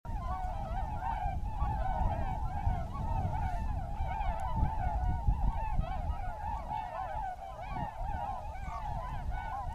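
A large flock of tundra swans gives a continuous chorus of overlapping, high, mellow whooping calls, several each second, over a steady low rumble of wind.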